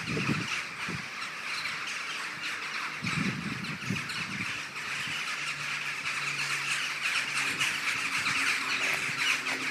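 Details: Common starlings gathering in a morning murmuration on 21 November 2012: a dense, continuous wash of high chattering and squeaky notes from a large flock, with intermittent low rumbling bursts of wind or handling noise.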